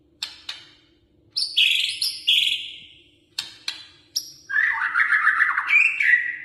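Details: White-rumped shama in full, lively song: sharp isolated clicks, harsh buzzy notes, then a sustained rolling warble of fast trilled whistles toward the end, with a faint steady hum in the background.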